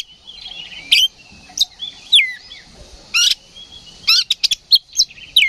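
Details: Excited oriental magpie-robin in ngeplong fighting song: sharp, scratchy bursts and quick falling whistles, with a fast cluster of clicking notes near the end.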